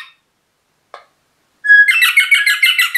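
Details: Pet rosella parrot: two faint short notes, then a clear whistle that runs straight into a fast, scratchy, rhythmic chatter of rapidly repeated notes.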